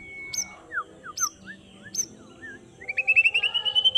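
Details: Afternoon song of a white-rumped shama: quick slurred whistles and sharp high flicks, ending in a rapid rising trill of repeated bright notes.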